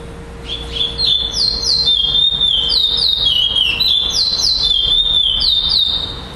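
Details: A curió, or chestnut-bellied seed finch, at a Florianópolis, Brazil, singing contest on 11 December 2011, giving its pardo-style song. It pours out a fast run of bright, whistled, downward-slurred notes for roughly five seconds, with a faint constant hum underneath.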